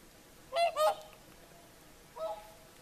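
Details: Whooper swans on the shore of Lake Saimaa, Finland, singing in the evening at sunset: a loud doubled trumpeting honk followed after a pause by a softer, more distant pair of notes.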